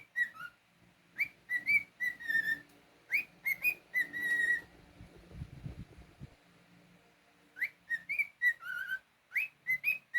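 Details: Whistling from a pet male cockatiel: bursts of bright rising and level notes, a quieter low rumbling gap in the middle, then the whistled phrase resumes with a falling note at the end.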